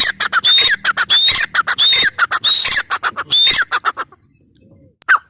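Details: Female grey francolin giving a run of strident, grating phrases, each carrying a brief rising whistle, repeated quickly for four seconds. A faint low hum lies beneath, then quiet and a single closing note.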